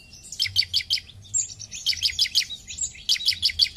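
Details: Bar-winged prinia giving rapid series of high, piercing chip notes, about three per second, in several runs with thin drawn-out whistles between them.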